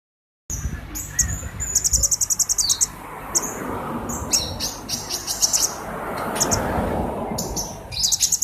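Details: Purple-throated sunbird singing vigorously: very high, thin rapid trills and chittering bursts, a fast stuttering run around two seconds, then scattered sharp twitters, over a steady low background rumble.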